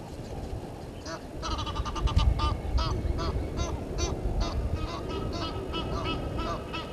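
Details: Egyptian geese confront intruder geese at a South African waterhole, Gowrie dam in Djuma Game Reserve, Sabi Sand Wildtuin, 17:08, 10/04/21. Loud, nasal, regularly spaced honks repeat for several seconds over a steady low background hum.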